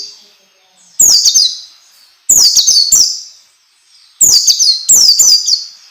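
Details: Orange-headed thrush training song, played so that young birds start singing quickly and often: three loud bursts of sharp, high whistles sweeping downward, each burst spaced by brief silences, with clicking edges.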